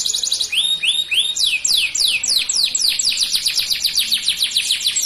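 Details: Male canary with dark plumage in full song: several drawn-out rising-falling whistles, then quick descending slurs accelerating into a continuous bright trill, delivered at a lively, slightly uneven pace.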